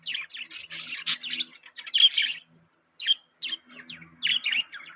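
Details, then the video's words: Budgerigar chirps: short sharp tweets and buzzy warbled notes in clusters, a clear pause around the middle before more chirping resumes. "Budgies Chirping Sound | Budgie Beautiful Sounds | Budgie Beautiful Voice"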